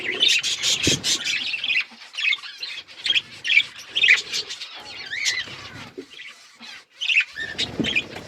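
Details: Colourful budgerigars chirping: varied squeaky warbles, short rising whistles and chattering twitters in uneven bursts with brief gaps, a few low knocks in the background.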